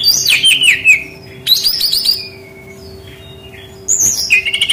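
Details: Rufous-tailed shama song used as a lure call: bright whistled phrases sliding down, a pause, then a high whistled burst with rapid trills, over a steady low hum.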